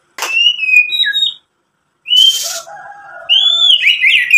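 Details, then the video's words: White-rumped shama song used to goad rivals into singing: a level whistle dropping at its end, a harsh noisy burst with lower warbles, then bright rising whistles. "SUARA MURAI BATU memancing EMOSI jadi BUNYI NYAUT GACOR BONGKAR ISIAN | PANCINGAN MURAI"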